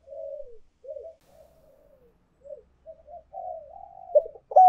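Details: Spotted dove lure recording of urging and calling coos: a series of quiet, wavering, falling coos, ending with a sudden louder note.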